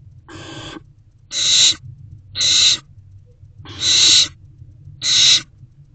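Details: Owl at a nest box in the evening of 3/16/24 during a mouse delivery; five harsh noisy screeches, the first softer, spaced about a second apart, with a faint low hum beneath.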